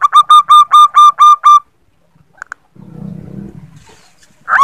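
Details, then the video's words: Female zebra dove calling the male, used as a lure: a quick burst of about seven evenly spaced, clipped cooing notes on one pitch, then a soft rumbling noise and the start of a fresh note series at the end. "Perkutut betina memanggil jantan"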